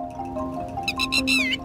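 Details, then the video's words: A lapwing, in Indian grassland, gives a few loud, sharp, ringing notes in quick succession, the last one dipping and rising, over steady background music. "तिटवीचा हा आवाज आपण कित्येकदा ऐकलेला असतो राज्यातील गवताळ प्रदेशांमध्ये तिटवीच्या"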